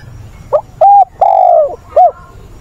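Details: Decoy spotted dove used in wild-dove training, 20 August, delivering one full cooing phrase: a brief clipped note, a level coo, a longer coo that falls away, and a short closing coo.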